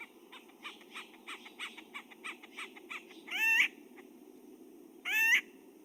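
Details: Acorn Woodpecker giving a single note repeated irregularly, resembling a Pinyon Jay rack series but without its regular pattern: about a dozen short nasal notes over three seconds, then two louder harsh squawks, over a steady low hum.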